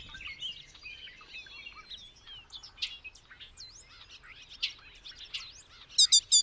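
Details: Bobolink song: a rapid, bubbling jumble of metallic twangs, slurred whistles and sharp up-and-down notes, ending with a loud burst of four quick, stacked, bright notes.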